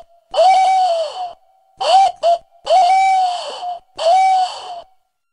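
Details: A tawny owl, on a recording used as a lure call, gives four harsh, hoarse screeching calls, each about a second long, one broken into short rasps, over a faint steady hum.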